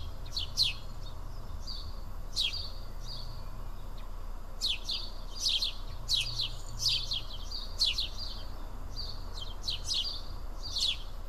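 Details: Several house sparrows feeding as a group in Karyotissa, Greece, give scattered sharp chirps, sometimes two or three close together, separated by quiet gaps, with low background hum throughout.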